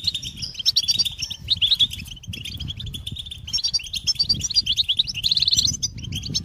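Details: European goldfinch song of rapid tinkling chirps and liquid twitters, a quick buzzy trill near the end, over low muffled fluttering.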